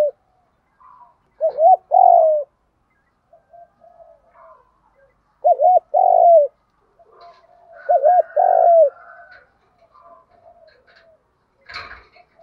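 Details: Spotted dove lure call in the 'thúc gù' voice, three phrases each of a twin wavering hoot and falling coo, spaced about three seconds apart, with soft quiet cooing between and a short knock near the end.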